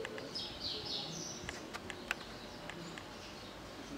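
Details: Sayaca tanager in a rural area of Regente Feijó, São Paulo, Brazil, giving a brief run of thin, squeaky, high notes in the first second, then scattered sharp ticks over a steady outdoor hiss.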